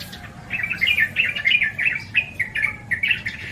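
Yellow-vented bulbul giving a lively, bubbling chatter of quick liquid notes, tumbling up and down at mid-high pitch for about three seconds without a break.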